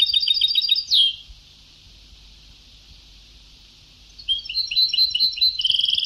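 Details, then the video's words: Old Sebta-style goldfinch song from a vintage tape: a fast repeated twitter ending in a downward slurred note, a long pause of quiet, then the rapid bright twittering resumes. "Canto del jilguero antiguo شريط تغريد سبتاوي قدييييييم روعة"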